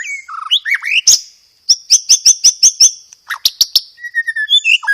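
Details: White-rumped shama song with sparrow-fight mimicry and dominant rapid 'roll tembak' rolls, loud and clear. Swooping whistles lead into an evenly spaced rattling roll of sharp notes, then a faster chattering burst and slurred whistles.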